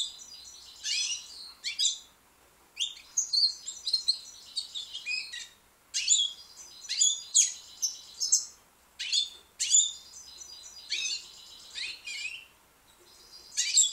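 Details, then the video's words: Singing young white British goldfinch delivering a long, lively stream of high tinkling twitters, buzzy trills and quick upward sweeps in rapid clusters with only short pauses. "young white British goldfinch singing."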